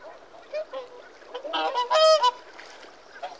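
A whooper swan gives a loud, brassy, trumpeting honk with a rich nasal tone, preceded by a few softer, shorter notes.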